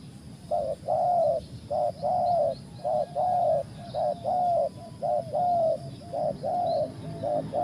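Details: Spotted dove calling: a steady series of short, soft cooing notes, each slightly arched in pitch, repeated about once per second, over low background rumble.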